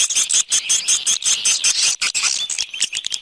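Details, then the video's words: Swiftlet external sound recording: rapid, evenly pulsed high chirps with bright whistled points, about three per second, thinning out toward the end. "Free Swiftlet External Sounds"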